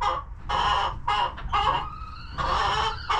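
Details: Chickens in a cozy homestead coop, relaxing and eating; loud, harsh, harmonic squawking clucks of about half a second each, repeated in bursts with short gaps, over a low background rumble.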